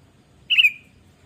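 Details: Sooty-headed bulbul, a lively singing kutilang used as a lure to prompt other birds to sing: a single brief, bright note with a slight warble, sounding once against a quiet, low background hum.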